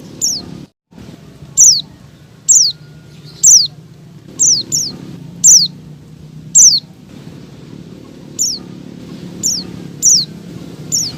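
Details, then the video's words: Calling female Oriental white-eye, in breeding mood and summoning a male: a steady series of about thirteen high, thin, falling notes, close to one per second, with brief pauses and a quiet droning background. "SUARA CALL PLECI BETINA MEMANGGIL JANTAN"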